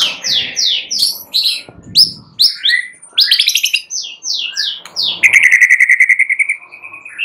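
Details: White-rumped shama singing at night, a fast varied run of loud whistled and chattering phrases, many notes sweeping down, ending in a long rapid trill that holds one pitch for about a second.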